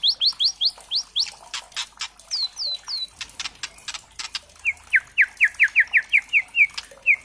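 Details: White-rumped shama song played as a lure to provoke singing: quick runs of rising whistled notes, then falling slurred whistles and sharp clicks, ending in a fast series of about ten repeated swooping notes.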